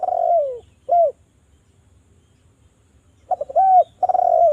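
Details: Lure call of a spotted dove to prompt doves to sing: a long falling rolled coo and a short coo, a silent gap, then a stuttered lead-in and a fresh rolling coo.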